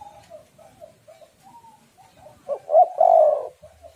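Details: A female spotted dove, played as a lure to make males call, gives a series of soft, low, murmured notes. These build into a louder phrase of two short hoots and one long, rough coo.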